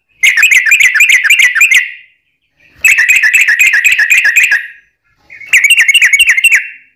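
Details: Sooty-headed bulbul lure song, a long ropel phrase to set other bulbuls singing: three bursts of fast, chattering trilled notes, each lasting one to two seconds, separated by short silences.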